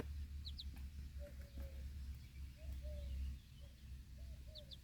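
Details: Backyard broody hen watching over her four baby chicks while they feed outdoors; gentle low murmured clucks in short runs, a few paired high chick peeps at the start and end, steady low rumble beneath.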